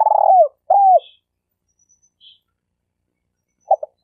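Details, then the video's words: Champion decoy spotted dove for bird trapping. The end of a phrase sounds first: a rolled trill and an arched, falling coo. Then comes a long quiet stretch with a faint high chirp, and finally the short double opening notes. "Suara Burung Tekukur Denak Padu Juara All Star"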